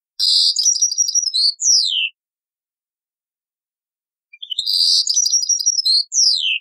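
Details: European goldfinch singing taqsrain-style from an old cassette: a buzzy chattering phrase closing with two falling whistled slurs, a long pause, then the same phrase repeated.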